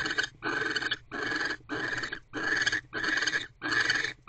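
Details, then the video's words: Female barn owl in a nest box, mating at 6:52 pm on December 25, 2023 while gripping a rodent in her beak; seven long, raspy, breathy screeches in a near-continuous run with only brief pauses. "#AvaTheBarnOwl Holds the Rodent in Her Beak While They Mate."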